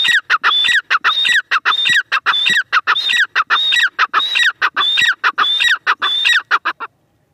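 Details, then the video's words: Grey francolin, known locally as teetar, calling in a fast, steady series of harsh notes, each with a bright rising whistled tone, about a hundred a minute for seven seconds, then stopping abruptly. "Teetar awaz | dakhni teetar awaz | gray francolin teetar voice"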